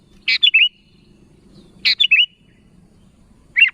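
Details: Sooty-headed bulbul calling to fellow birds: sharp, bubbly three-note phrases repeated roughly every one and a half seconds, close and clear over a quiet low rumble.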